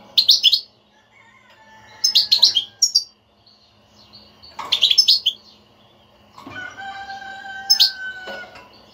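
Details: European goldfinch batbata twittering, offered as a remedy for a goldfinch that will not sing: three dense bursts of rapid chirps about two seconds apart, then thin sustained whistled tones with a last chirp.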